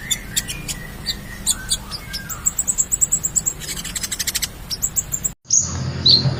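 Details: Konin, or ruby-cheeked sunbird, in gacor song with full isian for tutoring birds: rapid repeated high ticks and chirps with a thin high twitter, then a brief break and two sharp notes.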